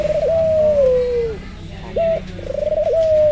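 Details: Albino Barbary dove giving a long smooth coo that sinks gradually, then a short hooked note and another long level coo.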